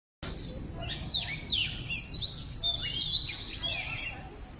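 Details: Birdsong in nature: clear, high whistled phrases that slide up and down in quick swooping notes, with a steady low background rumble and a faint continuous high hiss.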